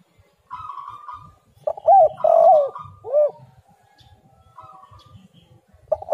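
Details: Spotted dove calling as a lure for other doves. A buzzy phrase leads into a burst of loud coos, then a single arched coo. Soft buzzy notes return before another coo starts at the end.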